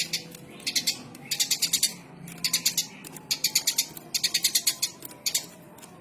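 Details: Eurasian tree sparrow chirping: bursts of sharp, dry clicking chirps in rapid runs of four to eight, separated by short gaps, over a steady low background hum.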